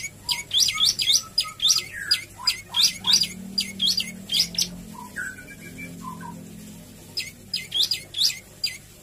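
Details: An olive-backed tailorbird, used as a lure recording to prompt other birds to sing, gives loud, sharp, high notes in rapid bursts of varied phrases, pausing briefly before another fast volley; a faint low hum underneath.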